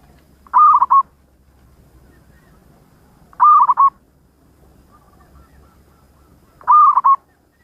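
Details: Local zebra dove (perkutut lokal) in full song: a short three-part cooing phrase, the notes clipped and wavering, repeated three times about every three seconds over a faint low hum.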